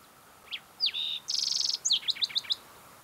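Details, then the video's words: Green-tailed Towhee singing on a June morning high on the Mesa Verde Plateau in Mesa Verde National Park, Colorado: a thin opening note and a slurred whistle, then a rapid buzzy trill and five quick, sharp descending notes, all within two seconds. "Singing Green-tailed Towhee"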